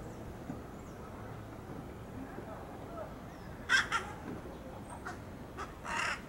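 A young jungle crow gives a few short, harsh, hoarse caws in quick succession near the end, over a steady low background rumble.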